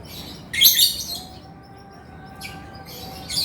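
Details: Male lovebird calling actively: a loud half-second outburst of harsh, shrill chirps, then short quieter raspy bursts after a pause. A low steady hum lies in the background.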